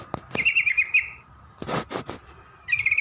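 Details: Yellow-vented bulbul lure song: a quick bright trill after sharp clicks, then loud broadband rustling thumps, and another trill starting at the end.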